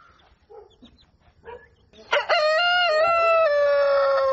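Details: Rooster at dawn: soft scattered clucks, then a loud, long, steady crow with clear ringing harmonics that dips slightly and holds for over two seconds.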